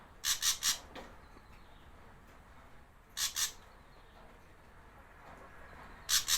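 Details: Javan ashy drongo used as a lure for wild birds: three groups of two or three loud, scratchy, chattering notes separated by quiet pauses of about three seconds.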